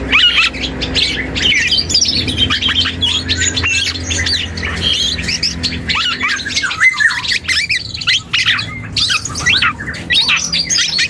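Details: Young black-and-yellow oriole practising its song: a steady stream of scratchy squawks and short whistled slurs, busy and unstructured, over a low constant hum.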